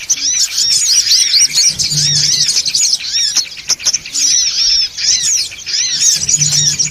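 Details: Lure recording of songon otong birds, loud and busy: crowded high chirps and arched whistled notes in bursts, with short gaps and a quiet low hum underneath.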